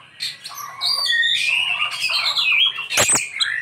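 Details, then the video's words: Oriental magpie-robin (kacer) pouring out isian song: continuous rich warbling with gliding whistles, one short explosive harsh note near the end, then a rising whistled phrase. "Ini Die Burung Kacer Isian nya Super mewah"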